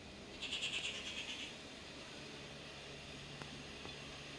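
A rufous treepie gives a quick run of about nine high, clipped notes lasting a second, then falls silent over a faint low hum.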